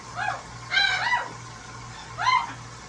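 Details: Bathing large blue parrot at a sink utters a few short, rising-then-falling nasal squawks, one doubled, over a steady low hum.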